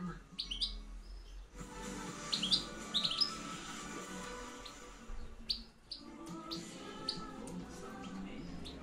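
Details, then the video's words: European goldfinch calling in campero reclamo style, 2013-2014: short, sharp, high twittering chirps in clusters separated by pauses, over a steady background hiss and low hum. "JILGUERO RECLAMO 2013-2014 PEGANDO FUERTE CAMPERO"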